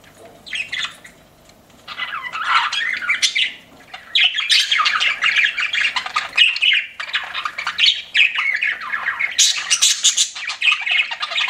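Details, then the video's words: Chirping pet budgerigars: a few isolated squawks, then sustained overlapping chatter of harsh buzzy notes and high twittering, rising to shrill peaks. "CUTE PET BUDGIES CHIRPING"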